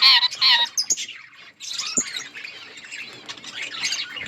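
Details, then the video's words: Colony of budgerigars chattering: loud harsh chirps open the stretch, a short lull follows, then steady overlapping warbling and twittering from many birds. "Budgies parrot chirping sounds in budgies colony"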